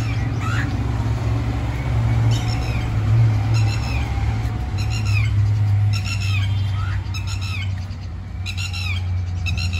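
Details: Red-wattled lapwing at Jamia Nagar, New Delhi, India, calling repeatedly with strident, ringing notes in tight clusters, some ending in a downward slur, over loud continuous low-pitched traffic noise.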